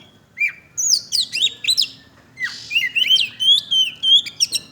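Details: Oriental magpie-robin singing energetically, with rapid, varied phrases of high swooping whistles and chirps, some rising and some falling, delivered in short bursts with brief pauses between them.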